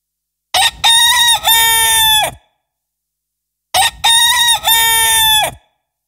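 A rooster gives two loud, harsh cock-a-doodle-doo crows about three seconds apart, each a rough multi-part phrase ending in a long drawn-out note.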